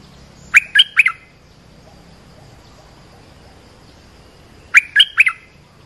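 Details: Short call of an olive-winged bulbul, used to train young birds and draw in wild birds: a quick three-note liquid phrase, repeated once after about four seconds of quiet.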